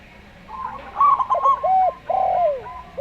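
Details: Local Zebra Dove song in a slow style: a quick run of soft rolling notes, followed by drawn-out, gently falling coos, over a faint background hum.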